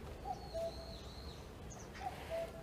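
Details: A distant common cuckoo, heard in summer, gives its falling two-note cuck-oo twice, about two seconds apart, over a long thin high whistle and brief high notes from other birds.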